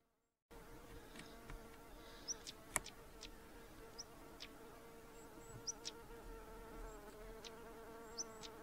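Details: Calls from a stonechat pair: a series of hard, stone-tapping clicks mixed with short thin whistles, loose and irregular over several seconds, above a constant insect-like drone.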